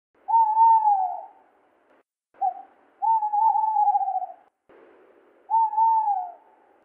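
Tawny owl hooting: clear, mellow hoots, one long and gently wavering, each slightly falling at the end, with a brief note between them.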